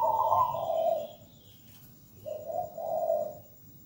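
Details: Local zebra dove singing: muffled, softer trilled coos, a higher note falling to lower purring ones, a pause, then another low rolling coo.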